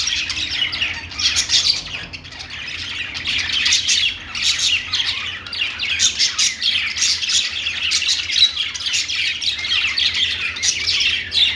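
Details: Many budgerigars in a pet shop producing a continuous wall of high chirps, warbles and occasional squawks, pulsing in waves over a low electrical hum.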